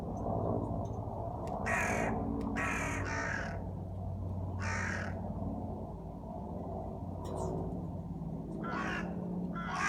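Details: Crow, described as dancing while singing, giving harsh, hoarse caws in irregular bursts of one to three, with a steady low hum and rumble underneath.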